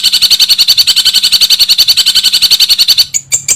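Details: Long-tailed shrike in gacor singing, its song styles named kuntilanak and gereja, with ngekek tembakan. A steady run of quick, bright pulsed notes, about three and a half each second, ends in a few brief, sharper chips.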